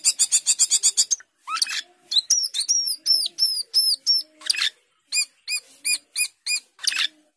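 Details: Asian glossy starling singing 'gacor teler', a bird noted for imitating many other birds: a fast stuttering trill, then high downslurred whistles repeated about twice a second, ending with a row of buzzy chirps.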